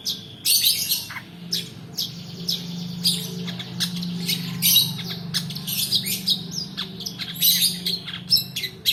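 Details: Long-tailed shrike rolling song, played as a lure for reluctant singers and as tutoring for other birds: continuous harsh, scratchy chatter with bright high notes over a low steady hum.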